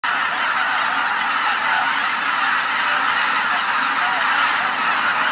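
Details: Tens of thousands of wintering waterfowl at Izu-Numa, northern Miyagi Prefecture, Japan, on Christmas morning: a dense, unbroken roar of overlapping honking calls, steady and loud throughout, with no single bird standing out.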